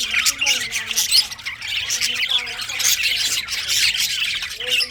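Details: Budgerigars in the morning, chattering in a busy, continuous warble of high squawks, chirps and scratchy notes.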